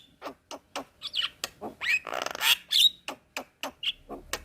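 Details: Black-winged myna, white-eyed form, in a cage-bird training recording: evenly spaced knocks about three a second, interrupted by rising whistles and a grating, buzzy rasp.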